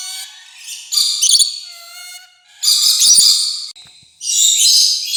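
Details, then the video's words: Rainbow lorikeet chattering in three loud raspy screech bursts about a second long each, separated by softer, thin whistled notes and brief pauses. "PARROT CHATTER, 오색앵무새"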